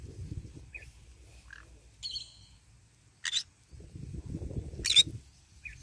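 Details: Green-cheeked conure in morning sun while eating: faint buzzy whistles and two sharp raspy screeches, set against soft low rumbling and rustling noise.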